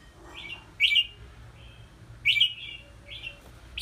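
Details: Red-whiskered bulbul in a small bamboo training cage suspended high; loud whistled notes bending downward, two main phrases about one and a half seconds apart with softer notes between, faint hum behind.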